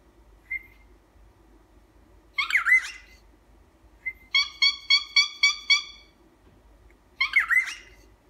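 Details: Pet cockatiel honking indoors: a short tonal note, then a raspy squawk, another brief note, then a quick run of six nasal, harmonic honks, closing with a second harsh squawk.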